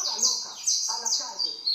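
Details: Canario costeño, the saffron finch, giving sharp, high, down-slurred chirped notes in quick succession, while low human voices murmur in the background.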